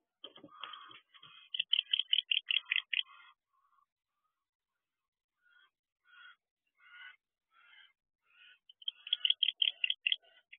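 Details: Barn owls in an owl box around 1 am on 5 December 2023, one arriving back: bursts of quick, scratchy twittering notes, then scattered single rasps, then another fast chittering run.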